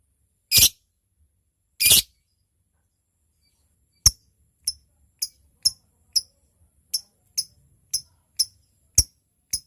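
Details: Lovebird ticking (ngetik) as it calls a rival: two short hissing rasps, then a slow, irregular series of single crisp high ticks spaced about half a second apart, fairly quiet.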